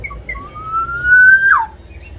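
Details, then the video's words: Javanese black-naped oriole in lively song, used to trigger singing in captive orioles: two short chirps, then a long smooth whistle climbing steadily, ending in a sudden bright swoop downward. "Kepodang lokal jawa gacor untuk pancingan supaya podang mu cepat bunyi"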